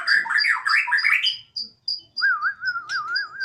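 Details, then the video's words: Borneo white-rumped shama, a home pet, singing enthusiastically like a siren: rich rising warbles, then a steady wavering whistle that swings up and down like a siren under thin high ticking notes. "Murai odong-odong (BORNEO) dengan penuh semangat si Burung berkicau layaknya suara sirine"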